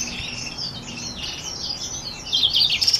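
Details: Black-throated x Reichenow's seedeater hybrid producing a continuous high, scratchy warble of jumbled twittering notes, growing louder toward the end with sharp bright chirps.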